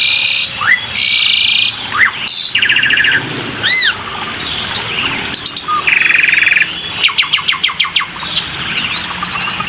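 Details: Varied black-winged myna lure song mixing harsh raspy bursts, rising whistled slurs, arched whistles, a loud buzzy band and, near the end, a fast run of clicking chips.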